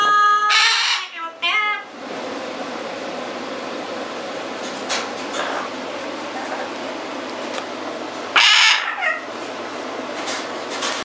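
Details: Pet double yellow-headed amazon, indoors, starts singing out of jealousy while its owner records a macaw: loud, ringing harmonic notes at the start and another sharp burst near the end, over a steady murmur of indoor noise.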